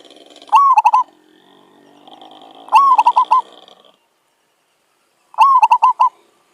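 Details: Zebra dove heard during decoy trapping, repeating its cooing phrase three times, each a rising slur then a quick series of five or six clipped notes. A steady droning tone runs underneath the first half.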